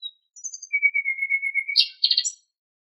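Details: Common nightingale singing in Greece's countryside: a brief high note, then a long steady pure whistle held over a second, swelling in a rhythmic pulse, followed by two rich rattling bursts and a high final note; no other sounds.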